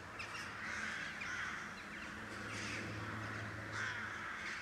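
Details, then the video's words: Crow colony above rooftops near Blücherplatz in Kiel, Germany, calling; a chorus of rough caws in clustered bursts over a continuous low hum of city noise. "Die Vögel - Krähen in Kiel"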